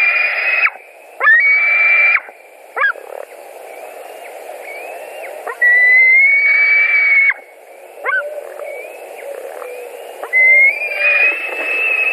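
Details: White-tailed eagles at a Latvian nest, 16 July 2020, as fish is brought in: scattered drawn whistles, some loud and sustained, others short and softer, with irregular pauses and quieter rising notes between them.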